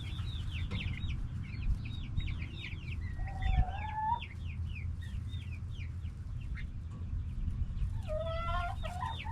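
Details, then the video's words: Hens and roosters in a backyard flock, noisy but soft; dense run of short clucks and chirps, with a longer rising drawn-out call near four seconds and another near eight. "Back yard chickens making noise🐓 Relaxing sounds of hens and roosters"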